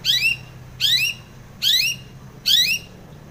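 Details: Female long-tailed shrike used as a morning lure for caged birds, giving four harsh, rasping squawks evenly spaced about every 0.8 seconds, each a rising scratchy burst, with a quiet low hum behind.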